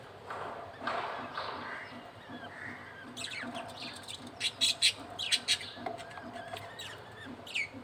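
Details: Male budgerigar feeding its chick: soft warbling chatter in the first half, then a run of bright, rapid high chirps and short squeaks toward the end.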